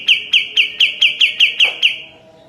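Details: Sooty-headed bulbul, known locally as kapas tembak, heard in a training recording for caged birds. It gives a row of eight crisp, ringing chips roughly four times a second, then stops.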